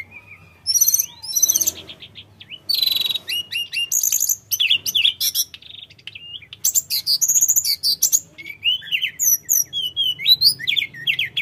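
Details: Long run of lively sooty-headed bulbul song, known as tledekan gunung, used to lure untrained birds into answering; loud clustered chirps and trills separated by brief pauses, with sweeping slurred notes.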